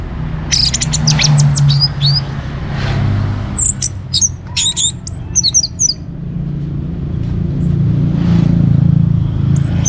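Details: Orange-headed thrush singing actively to stimulate other songbirds: scattered bursts of high, rapid whistles and chirps separated by pauses, under a loud, continuous low droning hum.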